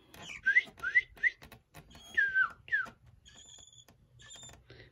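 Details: A baby Chinese hwamei begs with loud, squeaky, slurred notes that bend up and down, several per second, then trails off into faint, thin high tones; recorded 17 September 2020.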